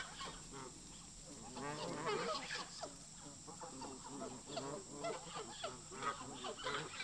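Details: Geese in a park flock, locals clashing with migrating visitors, give dense overlapping harsh honks, many birds calling at once in rapid irregular bursts, with a steady high background hiss.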